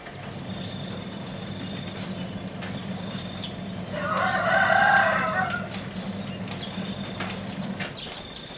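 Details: In the morning on 2 July 2016, a single rooster crow rises midway, rich and harmonic, lasting about a second and a half, over faint thin bird notes and a steady low hum.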